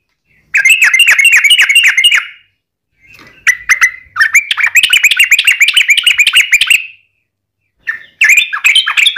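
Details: Sooty-headed bulbul giving a long, rapid rolling song meant to lure other bulbuls into singing: dense runs of bright, bubbly chirping notes separated by brief silences, with a final burst near the end.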